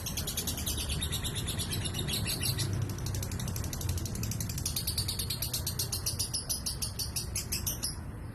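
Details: Lovebird singing in a rapid, continuous stream of high, scratchy chattering notes, with a steady low rumble of background noise underneath.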